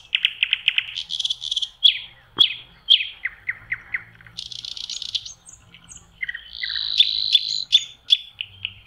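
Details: Spring song of a common nightingale by a lake in May, opening with a fast series of identical piping notes, then loud whip-like cracks, descending slurs, a harsh buzzy burst and a long sustained whistle.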